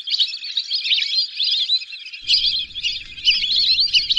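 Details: A group of lesser whistling ducks gives a continuous stream of squeaky, wavering whistles. The overlapping notes blur into a shrill chorus with no clear gaps.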